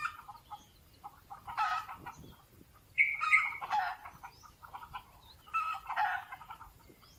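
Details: Wild Red Junglefowl perched in trees in a natural forest gives three harsh, broken, fowl-like bursts, each under a second long, spaced a couple of seconds apart, over quiet low forest ambience.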